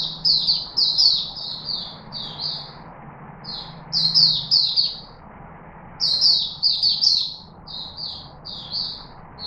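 A chickadee sings in quick bursts of high, chirpy notes, three phrases spaced a few seconds apart, over a faint low hum.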